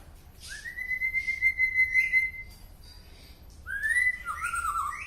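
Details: White-rumped shama from Penaron, East Aceh, giving an unusual song: a long level whistled note, then rising whistled phrases with higher sliding notes, over a low steady hum.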